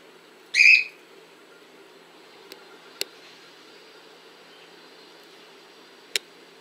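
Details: Single loud whistled call of a cockatiel filmed in Montpellier, France, followed by a few sharp faint clicks and steady low background noise.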